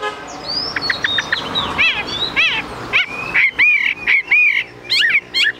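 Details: Tame caged Chinese hwamei. The clip opens with rough noisy sound and faint notes, then loud whistled phrases begin: sweeping, looping notes with some sharp descending slurs, repeated in short bursts.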